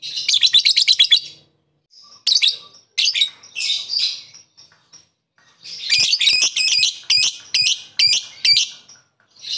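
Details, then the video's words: Lovebird calling its rivals: a fast shrill rattle opens, then scattered squeaky chirps and harsh notes, ending in a quick series of separate piercing high calls. "Burung Lovebird memanggil musuh,suara begini cepat banget bikin bunyi"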